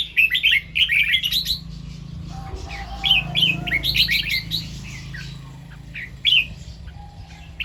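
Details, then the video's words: Red-whiskered bulbul morning song with doubled 2-3 and 'rik' phrasing: a lively run of bubbling whistled notes at the start, further bursts mid-clip, and a last brief phrase, over a low humming background. "เสียงนกกรงหัวจุก ร้องเบิ้ล2-3 ร้องริก"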